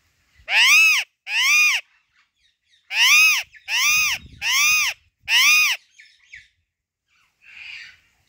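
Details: Female Alexandrine parakeet giving loud, grating squawks in its natural voice: two together, a brief gap, then four more at steady intervals of about a second, followed by faint chatter.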